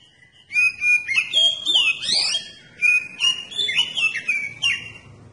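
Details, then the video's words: Oriental magpie-robin singing to provoke other magpie-robins to respond: a continuous rich stream of loud whistled notes, slurred upsweeps and fast varied phrases, repeated in two similar strophes. "Kacer Anda Bisa Langsung Nyaut dan Gacor Pakai Video Kacer Pancingan ini"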